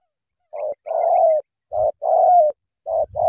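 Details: Spotted dove from Cà Mau, Vietnam, with a powerful voice and a full "thổ tơ" song. Low hooting coos in paired phrases, a short note then a longer drawn-out one, repeated about once a second, with faint low thumps.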